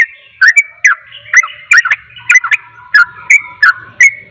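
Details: Sooty-headed bulbul in rapid 'ropel' song, said to agitate other bulbuls: bursts of paired and single bright whistles with ticks, irregularly spaced, over a faint low hum.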